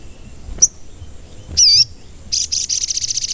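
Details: Sogon call used as a lure for trapping and provoking birds: a high chip, a loud dipping whistled note, then a rapid, steady series of high pulsed notes that continues to the end.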